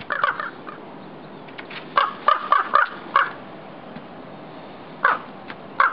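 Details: Raven guarding its nest, agitated by someone on the roof nearby: a quick cluster of rough croaks, then a gap, a run of four clipped caws, and two isolated harsh calls after a pause.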